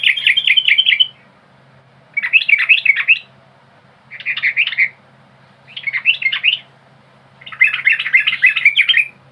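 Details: Yellow-vented bulbul lure song: bursts of about a second of fast, bubbly, chattering notes, some rising and falling in quick loops, separated by short pauses; a low steady hum runs underneath.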